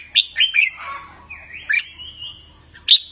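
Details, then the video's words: Red-whiskered bulbul voice-training song: three quick sharp whistles, then a long gliding whistle that dips and rises, ending with one loud bright note. "Luyện Giọng Chào Mào Mới Nhất | Luyện Chim Hót 2019"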